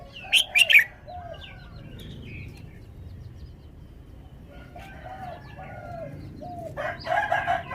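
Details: Red-whiskered bulbul in a cage displaying its song: one fast, bright, whistled three-note phrase at the start, then quiet background chirps, with a harsh rooster crow rising near the end.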